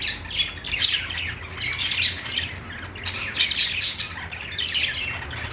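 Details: Budgerigars in a pet store squawk and twitter in short clustered bursts, scratchy and bright with some sharp clicks, over a soft steady low hum.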